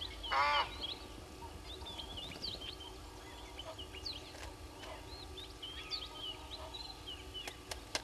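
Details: An Egyptian goose at Gowrie dam waterhole, Djuma Game Reserve, Sabi Sand, South Africa, at 05:57 on 09/05/21, gives a single loud, harsh honk at the start. Small birds chirp and twitter throughout over a steady low hum.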